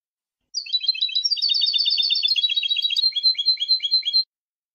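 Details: Copia malaga song of a European goldfinch, edited in 2020 for tutoring young birds: a dense, continuous stream of high twittering and chattering notes lasting about four seconds, slowing into spaced, even, repeated chips. No other sounds.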